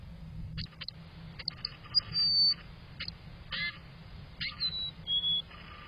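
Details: A male Black-capped Chickadee at a nest box in June sings the fee-bee song while looking at the incubated eggs. He gives soft, clear whistles, a high note then a slightly lower one, with scratchy knocks and rustling close by.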